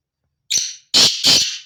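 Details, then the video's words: Black francolin, known locally as kala teetar, giving a loud, harsh call: a short grating note, a brief pause, then two longer buzzy rasping notes in quick succession, with clean silence before and after. "کالا تیتر کی آواز"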